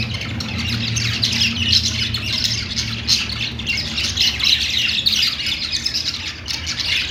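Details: Several budgies on a perch chatter nonstop, harsh squawks and fast chirps blending into a dense warble, over a noticeable low hum.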